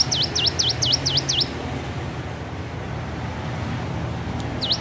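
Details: Hill prinia learning to sing: a quick run of six sharp V-shaped notes, dipping then rising, delivered within about one and a half seconds, then a pause and one more matching note, over low steady background rumble.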